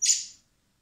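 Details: Common blackbird chicks being hand-fed in spring at a wildlife recovery centre before release; a single high, hoarse begging squeal, short and falling away quickly, with nothing else heard.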